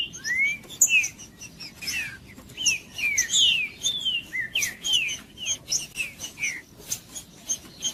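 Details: Green-winged saltator delivering macheando song to rouse other saltators: a steady sequence of curved whistled notes, some rising and many falling, interspersed with sharp clicks throughout.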